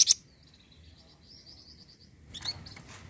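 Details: Flamboyan bird sound used as a lure to stimulate caged birds to sing: sharp high chirps at the start and end, with a faint, quick, buzzy trill held steady between them.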